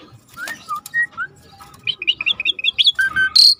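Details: Actively singing Asian pied starling used as tutor song: scattered soft whistles at first, then a fast, varied sequence of squeaky high chirps and a shrill note at the end.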